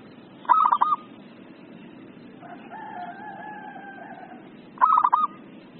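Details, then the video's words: Agitated ('emosi') zebra dove (perkutut) call, suited for training other birds and luring: two short bursts of rapid, stuttering coos about four seconds apart, a longer drawn-out call, probably a distant rooster, between them. "SUARA PERKUTUT EMOSI"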